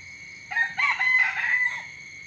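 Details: Rooster crowing in the morning: one loud harmonic crow of several joined syllables lasting over a second, over a steady high insect drone.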